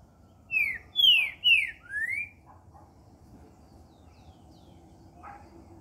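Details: Green-winged saltator with its "Cadê meu boi" song, 19 October 2019. Four ringing whistles follow in quick succession: two falling slurs, a short falling note, then an upward sweep. Afterwards there is only quiet background.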